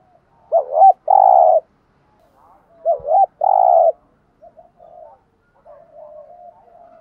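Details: Spotted dove used as a lure bird, cooing to draw wild doves into answering. Two loud coo phrases, each a quick wavering double note then a longer rough, buzzy note, about three seconds apart, followed by faint soft coos.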